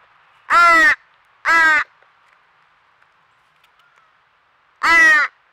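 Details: Crow fledgling begging near a squirrel feeder in Nova Scotia, Canada: two harsh, nasal cries close together, a pause of about three seconds, then a third cry; the surroundings otherwise quiet.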